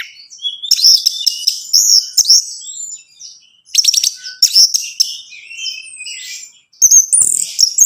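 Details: Anis Merah, the orange-headed thrush, singing to prompt a captive bird: long rambling high warbles with buzzy rapid segments and sliding whistles in three bouts separated by quieter gaps.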